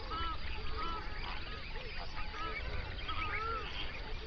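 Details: Flamingos massed on an Overberg national park lake in South Africa, captured in binaural sound at sunrise. Short, clear nasal honks sound roughly every half second over a murmuring flock and low background rumble.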